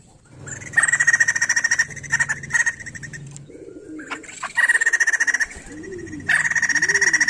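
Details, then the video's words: A white-crested laughingthrush sings bursts of fast, rattling chatter, in a recording used to prompt untrained laughingthrushes to sing; low, rounded dove-like coos repeat behind the song. "Poksay Jambul gacor mantap untuk merangsang bunyi burung poksay bahan"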